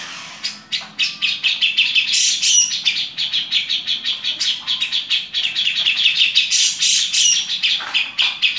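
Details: Grey-cheeked bulbul (Alophoixus bres), harsh chatter.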